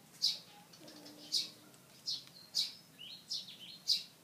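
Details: Pied fantail in a tree, fanning its tail open, giving sharp, high, clipped chirps, six in about four seconds at uneven spacing, with a few softer twittering notes between them over a quiet background.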